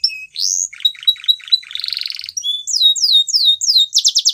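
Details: Varied Spanish Timbrado canary phrase: a rising whistle, choppy repeated notes, a brief buzzy trill, a string of falling sweeps and a fast pulsed ending.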